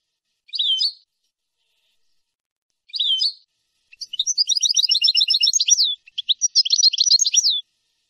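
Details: European goldfinch song from a clean tutoring recording made for teaching young birds; two short twittering phrases, then a long run of rapid repeated buzzy trills and tinkling notes, a brief pause, and another fast trilled phrase.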